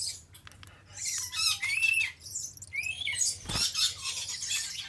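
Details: A male Stella's lorikeet (Charmosyna papou goliathina) gives harsh, high screeches and squawks mixed with quick chattering notes, in busy bursts with short pauses.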